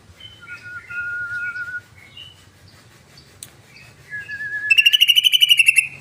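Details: Lure yellow-vented bulbul in 'ngebren' song: soft scattered chirps and a thin level whistle, then a rising whistled note leading into a loud, rapid, rattling burst of repeated buzzy pulses near the end.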